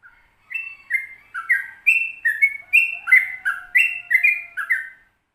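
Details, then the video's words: Song of a Sooty-headed bulbul in long rolling style, meant to stimulate other bulbuls to sing: begins after a short pause, then quick bubbling whistles stepping up and down, with a faint low steady tone in the middle. "Trucukan Ropel Panjang Gacor Full Masteran"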